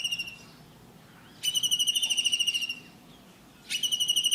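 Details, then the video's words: In India, a blue kingfisher calls twice: each time a sudden burst of rapid, piercing whistled notes runs for about a second before stopping. Faint background noise fills the pause between bursts. "Blue Kingfisher Bird call || Real sound of Kingfisher"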